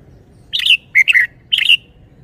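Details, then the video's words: Red-whiskered bulbul singing three loud, rich whistled phrases about half a second apart, each a fast jumble of warbling notes ending on a slight downward slur. "นกกรงหัวจุก 547 จ้าวคำหมาน สำนวนดี ลีลาเด็ด"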